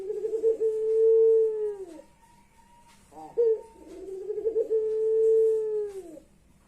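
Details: Puter pelung ring-necked dove, its voice likened to a person crying, producing two drawn-out low coos that hold a steady tone and then drop at the end, separated by a brief upward note.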